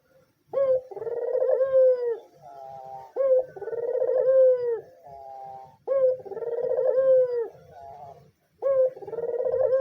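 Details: Steady series of four white dove phrases roughly every 2.7 seconds, each beginning with a sharp upslur, swelling into a long vibrating coo, then a quieter tail note. Played as a lure and to arouse male doves.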